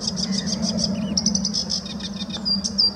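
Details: Sedge warbler singing at De Hoge Dijk, Amsterdam, the Netherlands, on 11 April 2017: a rapid, scratchy chatter of high buzzy notes with a few thin whistles, over a steady low rumble of background noise.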